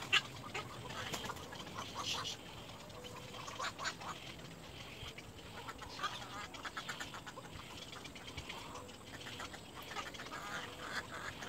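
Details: Little egret chicks in a second nest, looking exhausted, give harsh, scratchy calls in short bursts at irregular intervals over a steady background hiss.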